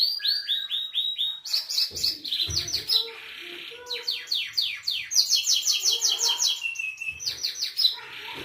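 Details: Distinctive song of a Belgian canary: rapid tours of repeated swept notes, switching between liquid rolls, a buzzy harsh passage and clear high chirping trills, continuous over eight seconds with short gaps.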